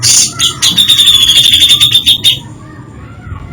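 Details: Grey-cheeked bulbul singing an isian (filler) song variation: a quick run of sharp chirps, then a sustained high whistle with rapid ticking notes over it, fading into quieter background calls.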